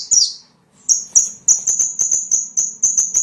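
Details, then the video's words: Small bird calls meant to lure small birds: one high falling chirp, a pause, then a steady string of about nine short, sharp, high ticking notes in even rhythm. "SUARA PIKAT BURUNG KECIL"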